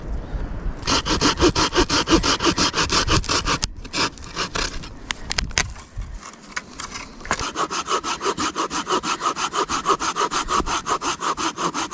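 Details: Rhythmic sawing through wood, with a short pause of scraping and knocking before the strokes resume.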